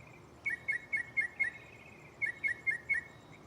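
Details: At night in a tree just beside the listener, a mockingbird sings a shuffled mix of songs. Here it gives two runs of five clear, slurred whistled notes, about four per second, with a pause between runs and faint insect noise behind.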